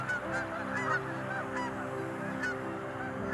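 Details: Snow geese in a flock of up to tens of thousands on spring migration stopover at Middle Creek lake, Pennsylvania, March 11 at dawn over misty water, give a dense, unbroken chorus of nasal, yelping honks, many calling over one another.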